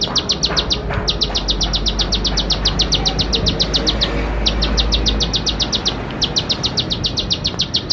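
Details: Bar-winged prinia singing as a lure for young birds learning their song: strings of rapid, sharp, high repeated notes in three phrases separated by short silences, over a constant low hum.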